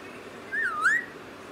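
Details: Pet parrot, methu, whistles one clean swooping note that falls slightly and then climbs to a bright upward finish, against soft room noise.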